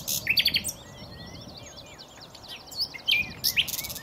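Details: Nightingale singing a mix of loud harsh chirps and soft fluty slurred whistles, with scattered sharp high notes and short bursts of buzzy sound.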